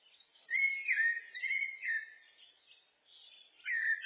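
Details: Common blackbird (Turdus merula) song: a long, clear, fluty warbled phrase sliding up and down, softer squeaky notes, then a fresh loud whistled phrase beginning.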